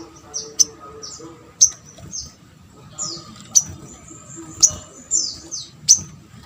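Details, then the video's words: Sunbird calling to draw replies from other sunbirds: short, thin, high-pitched slurred notes and sharp ticks, spaced roughly every half second to a second, over a faint low background hum. "MUDAH BIKIN SOGON ( sogok ontong ) LAIN BUNYI GAMPANG RESPON"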